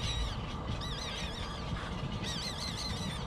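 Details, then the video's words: Nestling bird begging to be fed: two spells of high, wobbling, wavy cries, the second louder and more rapid, with a continuous low rumble underneath. "Poor baby bird cries baby food until it falls asleep"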